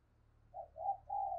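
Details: Decoy spotted dove calling to stir other doves into cooing: three soft, low hollow coo notes, the last one longest and steady, over a quiet low hum.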